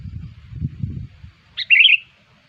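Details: A sooty-headed bulbul lure call meant to attract bulbuls: low muffled noise first, then a single clear, cheerful gurgling phrase opening with a sharp note.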